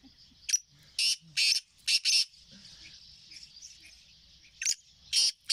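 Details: Black francolin call from 20 April 2024: a phrase of about five harsh, scratchy notes in quick, uneven rhythm, a long pause, then three more rasping notes, with a continuous high-pitched buzzing hum behind.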